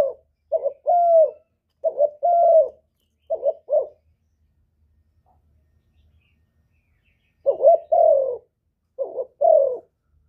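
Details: Spotted dove cooing meant to stir other doves to call back. A burst of short and longer husky coos is followed by about three seconds of silence, then two more clipped phrases.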